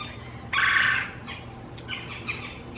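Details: Red-bellied Woodpecker, one of two females arguing near a male's nest site in a backyard one morning; a single loud harsh squawk about half a second long, followed by fainter scattered chattering notes.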